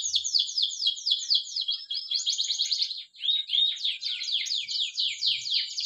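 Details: Canary of the Spanish Timbrado breed singing for training, a continuous stream of quick falling notes and rolling trills, high and metallic, barely pausing over six seconds.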